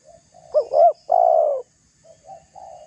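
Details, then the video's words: Spotted dove pressing a rival with its call: a quiet introductory coo, a two-part bouncing coo and then a long flat coo, ending with soft trailing coos. "Suara tekukur GACOR merayu lawan agar terpancing emosi cocok untuk pancingan"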